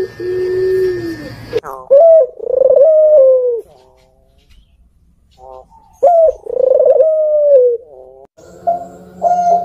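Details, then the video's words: Barbary dove of the puter pelung type, described as hoarse and deep-voiced, gives two drawn-out husky coos, each opening with a short rising note and then holding a steady low tone for about one and a half seconds, separated by a pause. "Suara PUTER PELUNG serak menyeram kan"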